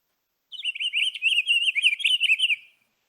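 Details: Pine Grosbeak song: one sweet, rolling, robin-like warble of about two seconds, high, with quick up-and-down notes and no other sounds.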